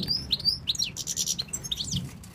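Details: Male European goldfinch from Tunisia singing for his keeper, who asks about his female: rapid liquid twittering with rising and falling slurred notes and a short buzzy burst, over faint background noise.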